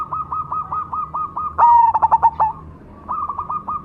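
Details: Cemani zebra dove delivering one strong pulsed coo phrase while another dove keeps up a steady train of quick, slightly higher notes before and after it.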